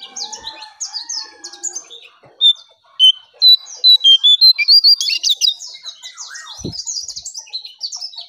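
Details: Striped tit-babbler lure recording: scattered chirps give way to a long rapid series of loud, clear whistled notes, repeated about three per second, then high twittering chatter and one low thump.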